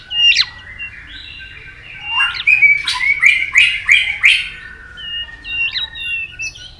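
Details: White-rumped shama singing in a provoking, competitive style: a few sharp slurred whistles, then a burst of rapid, clipped notes repeated about three times a second, followed by more thin whistles.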